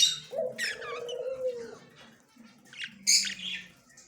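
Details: On October 9, 2024, a yellow male budgerigar makes scratchy, warbling chirps, some sliding in pitch, followed by a louder sharp burst near the end, over low background tones.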